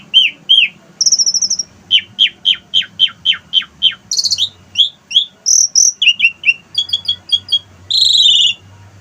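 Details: Asian pied starling living on a house terrace sings borrowed wild-bird phrases: clear whistles, a rapid series of sharp downslurred notes, buzzy bursts and a final harsh rasping note, all loud and close.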